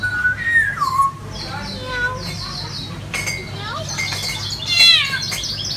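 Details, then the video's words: At a restaurant in Meteora, Greece, an African grey parrot kept among other birds loudly mimics a cat's meow with a drawn-out, falling whine, then breaks into scattered chirps, whistles and soft chatter. "African Grey Parrot meows like a cat!"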